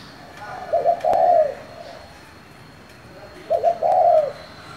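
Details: Spotted dove with a local-type voice, calling to provoke other doves: two low cooing phrases, each a short double note followed by a longer drawn-out coo, separated by about two seconds of quiet background hiss.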